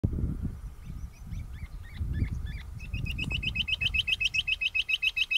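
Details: Rock bush quail calling loudly: short rising whistled notes, sparse and uneven at first, then quickening into a rapid, regular run of sharp repeated notes, over a low rumbling background.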